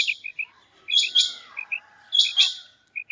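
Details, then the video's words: A female quail calls with short, high, squeaky notes in quick pairs and triplets, and louder buzzy double bursts repeat about every second and a half. "Female Quail Calling"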